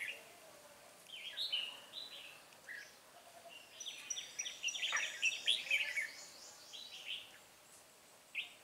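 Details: Red-whiskered bulbul song recorded while trapping a lively wild bird with a decoy on 9 March 2020; soft start, then a dense run of rapid bright chirping notes in the middle, tapering off with one last call.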